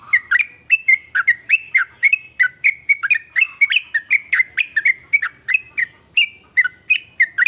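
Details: Sooty-headed bulbul singing varied phrases said to make other bulbuls join in; a steady run of bubbly, slurred notes that dip and rise, about three per second, with no other sounds.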